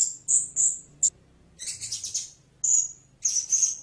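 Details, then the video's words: A blue-crowned hanging parrot opens with quick shrill squeaks, then a buzzy chattering phrase, followed by a drawn-out high note and a final raspy burst; a faint low hum underneath. "เสียงนกหกเล็กปากดำ Blue-Crowned Hanging Parrot Sound"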